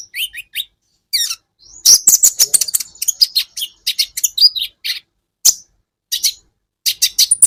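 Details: Training recording of Van Hasselt's sunbird for caged songbirds: a few lower, slurred whistles open, then long runs of rapid, piercing high chirps and twittering trills in quick bursts with short gaps.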